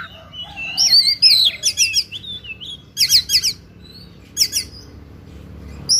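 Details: Fighting oriental magpie-robin delivering a full, varied song: slurred whistles followed by rapid buzzy trilled bursts, phrases of about half a second with brief gaps; low background hum.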